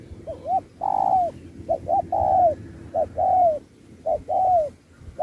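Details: Competing spotted dove in a 2024 singing match, singing the 'Thúc' style paired with 'Bo' and switching phrasing like a wild bird: paired soft coos, a brief hoot followed by a drawn-out descending coo, about once a second.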